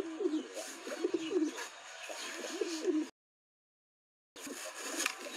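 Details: A pair of Ambarsira fancy pigeons cooing: low, throaty coos repeated about every half second in a rolling series, then a short silence and faint chatter over a hissy room background.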